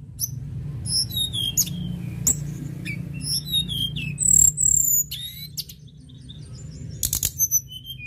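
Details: Sunda robin (tledekan gunung) in full song: a rapid, varied stream of high whistles, sharp chips and short trills, with a steady low hum underneath.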